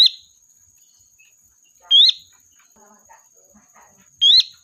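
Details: Sooty-headed bulbul lure bird calling its flock with bright rising whistles every two seconds, while quieter scattered chirps and low murmuring sounds fill the gaps over a steady high whine.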